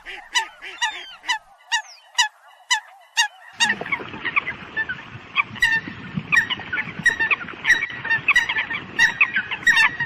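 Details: Calling the flock, a Eurasian coot gives spaced, clear honks at first, then many overlapping calls over a rougher, noisier background as the sound becomes a busy chorus.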